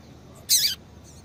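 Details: Female double-collared seedeater call, used to stir a caged male into singing: one short, sharp, high chirp with a downward-sweeping tail, otherwise quiet background.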